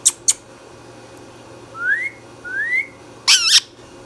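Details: Green Indian ringneck parrot kept as a pet, giving two sharp clicks, two smooth upward-sliding whistles, then a loud ragged double screech, in a small indoor room.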